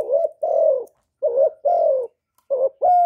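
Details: Spotted dove calling and cooing, recorded without noise to stimulate kept doves; three full, resonant two-part phrases, a brief hooting note then a sustained low coo that drops slightly at the end.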